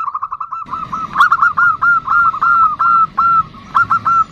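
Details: 'Nutut' call of a female zebra dove (perkutut) calling to the male: a fast, steady run of short clipped notes, about two or three per second at the peak, continuing throughout over a low background hum.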